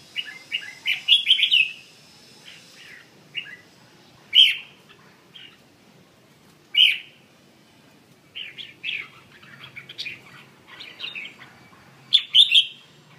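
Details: Red-whiskered bulbul with a 'giọng chuông' (bell-voice) song: separated bursts of lively warbling notes, with pauses of one to two seconds between phrases and several sharp ticking clicks in between.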